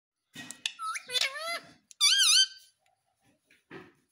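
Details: Pet Indian ringneck parrot, described as a talking parrot, gives a string of harmonic, whistled calls that sweep up and down, then a loud arched screech of about half a second, followed by a short soft squawk.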